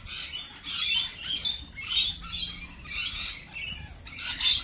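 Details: Lorikeets squawking in harsh, high, rasping bursts that rise and fall roughly every second over a steady background of chatter.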